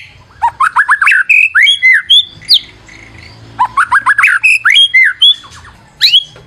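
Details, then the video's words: Lure recording of white-rumped shama song: clusters of quick upslurred whistles and sharp high notes in two bursts, separated by a brief pause, over a faint low hum. "PANCINGAN MURAI BATU GACOR"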